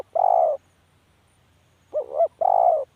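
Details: Spotted dove giving low hoarse coos. A long coo ends one phrase, then after a pause a short quavering double note leads into another drawn-out coo. No other sounds stand out.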